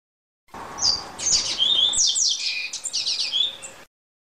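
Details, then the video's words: Double-collared seedeater singing in the Greek song style (canto grego): a rapid, high run of varied sharp whistled and buzzy notes, some sliding down, lasting about three seconds over faint low background noise. "COLEIRO CANTO GREGO"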